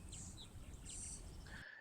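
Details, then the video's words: Three female-type Purple Martins circling give a few quick, high chirps and a short gurgling twitter, ending on a clearer note, over a steady low rumble of background noise. "It's a recording of Purple Martins"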